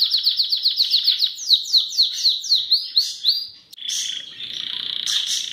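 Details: A Belgian canary delivers a quick run of repeated chirping notes that gradually slow and sweep lower, followed by a sustained buzzy warbling passage.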